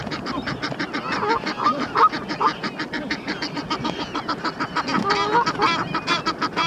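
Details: Egyptian geese on the Round Pond, two males fighting while a mate shouts encouragement; loud, irregular bursts of rasping honks with overlapping calls and splashy background.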